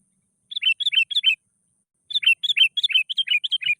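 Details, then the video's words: Emotional, aggressive sooty-headed bulbul calling to challenge a rival: rapid bursts of bright chirps alternating higher and lower slurred notes, a short run then a pause and a longer run. "Suara BURUNG KUTILANG GACOR NGAMUK NGOTOT. Emosi Menantang Lawan.."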